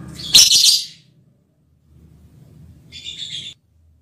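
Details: Lovebird mating call meant for the male partner, one loud rasping shriek at the start, followed after a quiet low murmur by a softer, buzzy chirp.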